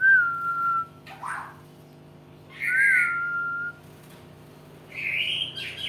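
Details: White-rumped shama in training, its singing beginning to gain emotion: level, slightly falling pure whistles alternate with short buzzy, rasping bursts, in a quiet indoor setting with a low steady hum.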